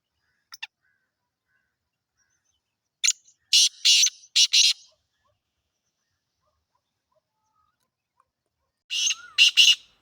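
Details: A Sindhi black francolin (Francolinus francolinus), a captive bird offered for sale, gives a loud, harsh phrase of about five grating, clicking notes, then repeats it a few seconds later; otherwise it is quiet.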